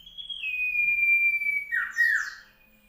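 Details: Common iora recorded in South Malang on 15 June 2020: one long, pure whistle held steady for about a second and a half and sliding gently downward, then a quick burst of rougher, lower warbled notes with faint higher overtones, over a quiet background.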